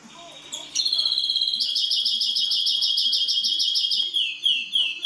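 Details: Song of a European greenfinch crossed with a canary. After a brief call, a long rapid rolling trill pulses steadily for about three seconds. It then breaks into a series of quick downward-slurred chirps.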